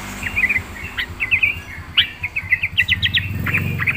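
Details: Trucukan (yellow-vented bulbul) singing busily in 'gacor full isian' style, a steady chain of short bright chirps and twitters over a low, pulsing background hum.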